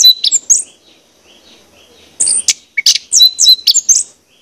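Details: Lure song of an orange-headed thrush, meant to get other birds singing: a few quick high notes, a quiet pause of over a second, then a dense string of sharp whistles and buzzy trills.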